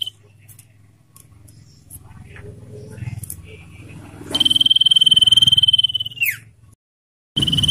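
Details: Common iora trill song used to lure and tutor captive birds: low murmuring and faint ticks, then a loud high rapid pulsed trill of about two seconds ending in a falling slur, and another trill starting.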